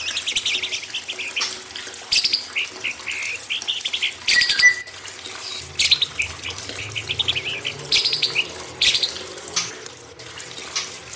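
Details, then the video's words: White-rumped shama singing on a training recording meant to coax young wild-caught birds into fuller song. Varied bursts of high chattering and whistled phrases are spaced by short pauses, set against a continuous background of flowing water. "MASTERAN TERAPI MURAI BATU AGAR LEBIH GACOR"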